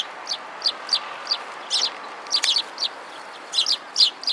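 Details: Sparrows gathered at food and squabbling in February 2017: sharp, high chirps in quick, uneven bursts, often doubled, scattered through the clip over a faint steady background hiss.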